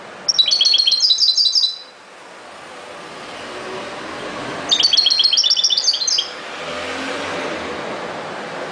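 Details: European goldfinch singing in the ghoroub style: two bright, tinkling bursts of rapid twittered notes, each lasting over a second, separated by a few seconds of quiet room hiss.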